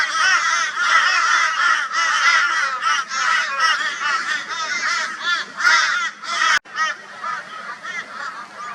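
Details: Brisbane, Australia, 22 February 2022: a crow flock mobs a barn owl, and dense harsh caws run almost nonstop, many birds calling together before a brief break and quieter calls.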